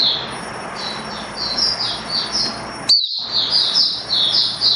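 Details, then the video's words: Caged hobby white-eye in build-up form, recorded 19 September 2022: soft high warbling phrases of short downslurred notes, partly masked by steady broadband noise and a thin electronic whine. "Mata Puteh V2 Raja Buka Sing Build Up Form"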